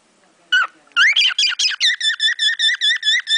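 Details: Caged pet cockatiel performing sparrow-like songs it learned from sparrows outside the window; a few varied chirps, then an even run of repeated sharp two-toned chirps, over two per second.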